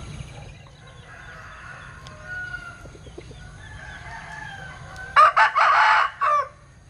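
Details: Linh Kê chicken with an unusual crow: after several seconds of faint background noise, a choppy crow of four rough, harsh bursts arrives near the end.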